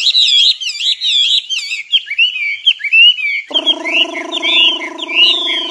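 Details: Nightingale singing quick twisting whistled phrases; halfway through, a steady low droning hum joins beneath the song and continues to the end.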